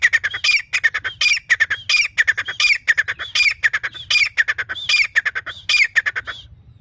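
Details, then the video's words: Grey francolin, known as teetar, calling steadily: loud harsh notes in quick repeated phrases, each phrase ending in a rising accent, about every 0.6 seconds for nearly seven seconds, over a low background hum. "grey Francolin sound teetar"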